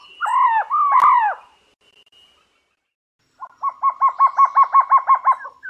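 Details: Trogon from tropical forest in South or Central America: two drawn-out slurred notes, a short silence, then a fast rattling string of about a dozen clipped repeated notes.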